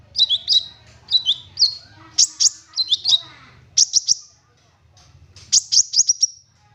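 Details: Lure song of an olive-backed sunbird with rich fill-in phrases. Paired, slurred high chips repeat in short groups, then come sharper emphatic notes and a final quick descending series, over a soft low hum.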